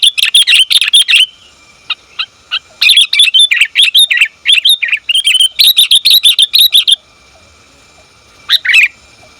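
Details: Female sooty-headed bulbul calling a male with long runs of rapid, scratchy chirps and twittering notes in dense bursts, pauses between, then a final short chirp; a thin steady tone runs beneath.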